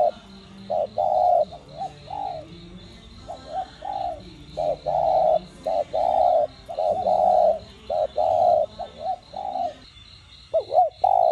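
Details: Spotted dove cooing continuously in the đồng gù and thúc style, intended to get captive doves calling. A long run of phrases pairs short hoots with sustained mellow coos, closely spaced, against a faint rapid high chirping.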